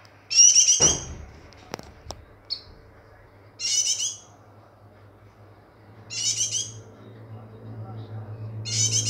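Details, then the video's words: White-eye in breeding condition giving short, loud, harsh chattering bursts of high notes, each under a second, repeated roughly every two to three seconds, with a few clicks and a low hum between them. "Burung pleci Birahi"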